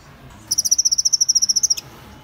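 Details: Van Hasselt's sunbird giving a single rapid, even trill of very high, thin pulses, about seventeen notes in just over a second, over a quiet background.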